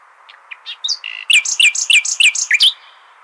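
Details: Nightingale in Hasaniya style, used as a tutor song for goldfinch and hybrid chicks; soft scattered notes build into a loud string of about ten sharp, downward-slurred chirps delivered rapidly and evenly.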